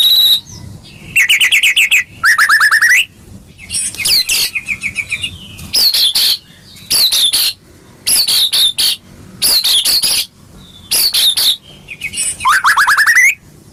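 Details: White-rumped shama song meant to encourage a caged bird to sing: bursts of sharp harmonic chattering notes and whistles separated by short silences, ending in a long rising whistle.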